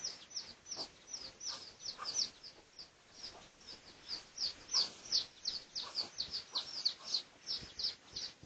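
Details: Red junglefowl, pradu colour type, recorded for research on 18 August 2023, giving a lively run of high, thin chirps that drop in pitch. The notes come nearly three per second and grow louder midway.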